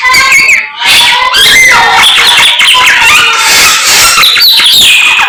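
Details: A samyong bird sings continuously in the morning, with high sliding whistles woven through loud, dense chattering and scratchy notes and almost no pause.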